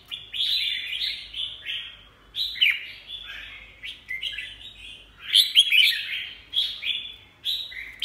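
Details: Red-whiskered bulbul delivering repeated bright, bubbling whistled phrases, loud and slurred, in a steady stream of bursts with short pauses between them.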